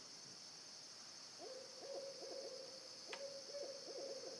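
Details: A pair of owls making noise: quick runs of short mid-pitched hoots with wavering, trilled notes, repeated in two bursts against a constant high-pitched insect chorus, with one sharp click.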